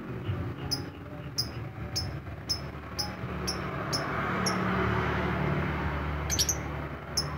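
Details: Lovebird ngetik (typing) song: sharp, high, evenly spaced ticks for about four seconds, then a broad hiss of noise rises and masks the bird, with a brief clustered burst near the end.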